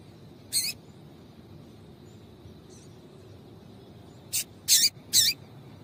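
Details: A female double-collared seedeater (coleiro) gives short, sharp, high chips, one lone note, then a quick run of three near the end, over a faint low hum; used to stimulate males to sing.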